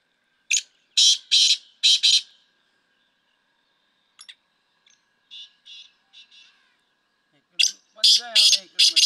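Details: Black francolin call used for training: a loud grating phrase of five notes, scattered softer notes in between, then another harsh phrase with a man's voice talking over it at the end.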